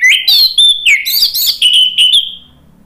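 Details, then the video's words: Orange-headed thrush delivering ngeplong gacor song, loud and energetic: a rapid unbroken string of clear, high whistled phrases, some rising and some trilled, over about two and a half seconds before falling silent. "ANIS MERAH NGEPLONG GACOR bikin EMOSI jadi NYAUT ikut BUNYI"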